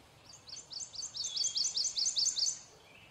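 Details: Song of a male prothonotary warbler: a steady run of roughly ten ringing, high-pitched sweet-like notes, each a quick upslur, delivered in under two seconds, with a soft lower note trailing after.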